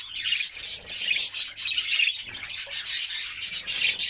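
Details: A white canary sings a dense, rasping high trill in rapid pulses, part of a song played to stimulate female canaries for mating.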